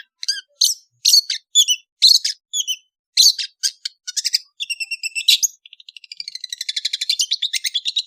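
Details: Long-tailed bird from Indonesia in afternoon song: sharp scratchy notes in quick groups, turning into a fast, even, buzzy trill of rapid repeated pulses near the end.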